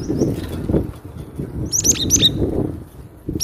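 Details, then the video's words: Loud song of a cinereous tit: a brief cluster of clear, high, downslurred whistles packed closely together mid-clip, with fainter notes at the start and end, against continuous low-pitched rumble and rustling. "Suara lantang burung glatik batu"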